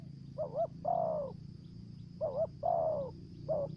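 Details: Spotted dove kept as a lure bird in Tra Vinh, Vietnam, singing in the thổ dế voice style. A quick wavering two-part coo is followed by a longer, level-then-falling coo, heard about twice. A steady faint high hum and low rumble sit underneath.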